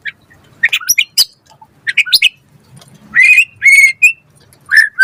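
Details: Lively white-rumped shama song for coaxing others to sing: scattered sharp chips followed by a few loud, richly harmonic whistled notes.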